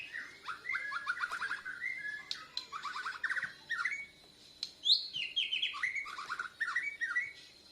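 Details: Borneo white-rumped shama, a kept bird learning to sing, chest feathers puffed, answering a lure recording: rapid buzzy trills and rising whistled phrases, bursts separated by short pauses, over a faint low hum.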